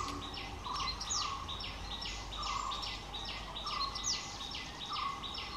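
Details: Vernal hanging parrots in the Palani Hills, India, give dense, high, squeaky chirps in quick overlapping bursts, about one every second, with a steady lower tone and outdoor hum beneath.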